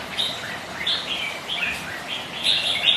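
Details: Kept red-whiskered bulbuls, rival birds sparring on a windy, rainy day: short bright whistled phrases near the upper-middle range, repeated about every half second with slight up-and-down inflections, against a soft hiss of background noise.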